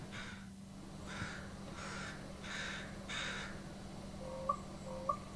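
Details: Common Raven giving four harsh, broad croaking caws, about one per second, then two brief clicking notes; a steady low hum runs beneath.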